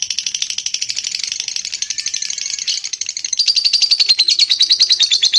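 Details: Lovebird in a rapid, buzzy chattering trill that shifts partway through into a clearer, louder, evenly pulsed series of high notes.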